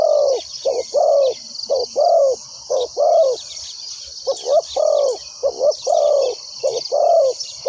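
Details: Decoy spotted dove calling to draw wild doves into a trap, a steady run of short-then-long cooing notes, the longer coos dipping in pitch, nearly once per second, under a persistent shrill insect chorus.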